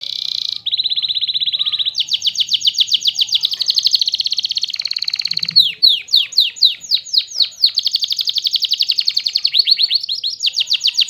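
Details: Canary singing a continuous run of rapid trilled tours at a high pitch, switching between fast rolling rattles and sweeping down-slurred notes, loud and clear throughout.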